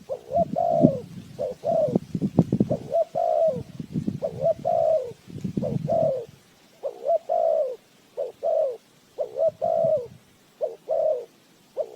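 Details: Spotted dove calling as a trapping lure: a long run of two-part coos, short then longer and bending downward, over low rumbling handling noise that fades halfway through.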